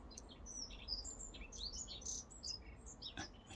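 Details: Dunnock (Prunella modularis) singing in a British back garden in response to played song: fast, high, jingling warble of thin notes without pause, at a distance over a low hum; a buzzard possibly in background.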